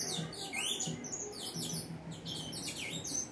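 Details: Saffron finch song: short bursts of bright, high slurred notes, several sliding down then rising again, over a steady low hum.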